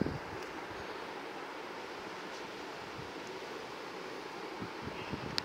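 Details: Steady heavy rain and wind noise fill the recording, with a few faint clicks and no clear animal calls.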